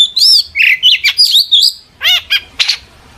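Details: Long-tailed shrike singing to draw answers from other shrikes: loud wavering whistles and harsh squeaky notes in quick sequence, followed by a few scratchy buzzy bursts.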